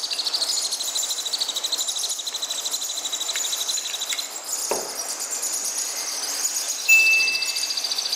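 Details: Baby sun conure chicks being hand-fed give a fast, steady, buzzy pulsing, several pulses a second, with a brief thump midway and a short thin whistle near the end.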